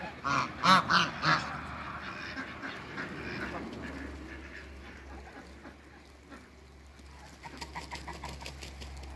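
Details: Farm geese of African and Toulouse breeds in Greece, meeting another animal, give a burst of four loud ringing honks in quick succession, then quieter rapid honking later, over a steady low hum.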